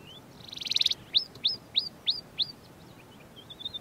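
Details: Large-billed Lark of the Karoo singing: a brief whistle, a rapid buzzy trill, then five clear downslurred whistled notes about every third of a second, ending in softer twittering.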